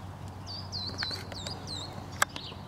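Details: Verdin pair in a Palo Verde tree, Phoenix, Arizona, morning of February 7, 2014: a quick string of high, downslurred chipping notes, about five within two seconds, followed by one loud click, over low hum.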